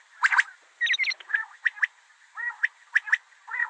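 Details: Female common quail calling gives quick paired chirps and short burry notes, mid-pitched, in bursts roughly every half second over a faint background hiss.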